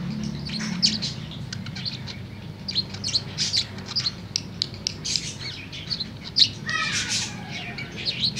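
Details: A tame budgerigar sings in the afternoon, a long run of rapid high chirps and scratchy warbling notes with brief pauses, punctuated by sharper peaks, over faint low background hum.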